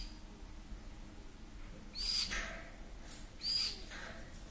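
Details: Young green-cheeked conures, 3–4 weeks old, ten together, relaxed just after a feeding, the older ones sexed as males: two short, harsh, scratchy squawks about a second and a half apart, each with a thin high whistle, over faint hiss.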